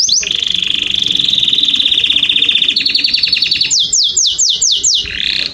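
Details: Canary song used to stimulate males and females to mate: a long rapid trill near one pitch, a second faster trill, then a series of loud descending whistled sweeps repeated about twice a second.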